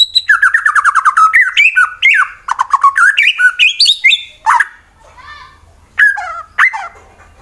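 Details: White-rumped shama singing in fighter style to goad rival birds, Wonosobo, Central Java, Indonesia; a rapid series of repeated whistled notes turning into varied rich phrases, then scattered louder calls with a quieter pause between.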